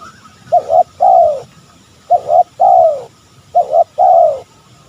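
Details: Spotted dove call used to provoke rivals: three clear phrases, each a brisk doubled coo leading into a sustained, downward-sliding coo, evenly spaced about every 1.5 seconds against faint low hum.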